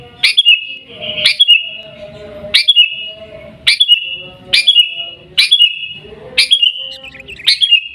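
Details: Sooty-headed bulbul, Pidie, Aceh, Indonesia, 'Gaya Garuda' style: a sharp chirp followed by a short level whistle, repeated about once per second, eight times, with faint low rustling between.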